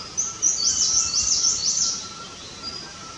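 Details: Himalayan cutia building and flattening its nest in India, heard close up: a quick series of thin, very high chittering notes over roughly two seconds, against steady background hiss.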